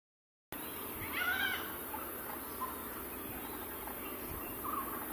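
A Malabar grey hornbill gives one brief, nasal, squealing call with a few fainter notes after it, over a steady background hiss.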